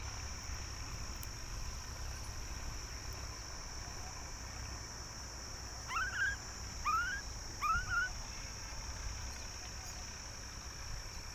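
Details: As a myna pair feed their young together, three quick, clear rising-and-falling myna calls come about a second apart over a steady background hiss and a low distant rumble.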